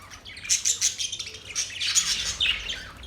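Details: Budgies singing, said to be mating calls: rapid bright chirps and whistled squeaks, quickly repeated, forming a busy high twittering over about three seconds.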